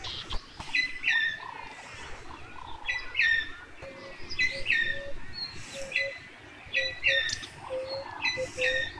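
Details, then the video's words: Male Buff-crested Bustard (Lophotis gindiana) courting a female in Tsavo East National Park, Kenya: bright, ringing chirped phrases roughly every two seconds over a steady run of short, lower whistled notes. "Buff-crested Bustard Courtship"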